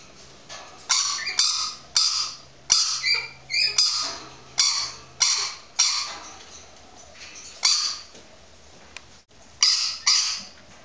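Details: Pet female rainbow lorikeet, trying to imitate a neighbour's yappy dog, gives harsh, grating high screeches in quick bursts, about one a second, amplified with a hollow echoing ring from inside a small perspex box toy.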